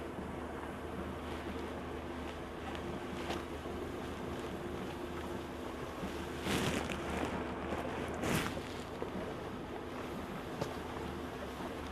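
Steady low engine rumble and wind noise with brief broadband bursts of rushing air or water, no animal voices.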